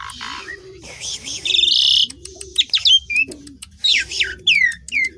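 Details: Asian pied starling singing: scratchy bursts, clicks and sharp looping whistles broken by short pauses, over soft, regularly repeated low cooing in the background.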